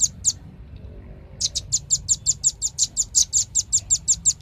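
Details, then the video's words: Velvet-fronted nuthatch with a pair of high chips, a brief pause, then a long even sequence of sharp, shrill notes at about five per second. "SUARA BURUNG RAMBATAN PARUH MERAH"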